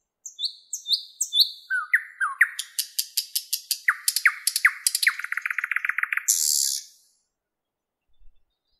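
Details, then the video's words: Thrush nightingale song, Park 50-letiya Oktyabrya, Moscow, 11 May 2016, 08:15, recorded with a Lumix camera and Tascam microphone: repeated high whistles, descending notes, then a long accelerating series of clicks ending in a harsh hiss. "Как поет соловей? Голоса птиц. Nightingale singing."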